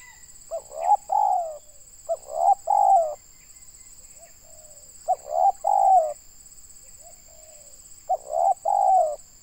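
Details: Tekukur, or spotted dove, in Indonesia, calling during a session to lure and trap wild doves; four phrases about two seconds apart, clipped opening notes then drawn-out wavering coos, with a constant high-pitched hum behind.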